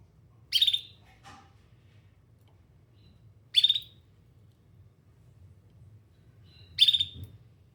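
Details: Canary seeking other canaries, repeating a clear, high chirp three times at roughly three-second intervals, with a faint lower note after the first.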